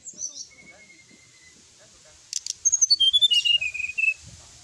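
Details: Brown-chested jungle flycatcher whistling as a lure for rival birds: soft high notes and a thin level whistle first, then a clear cascade of about a dozen pure notes falling stepwise in pitch.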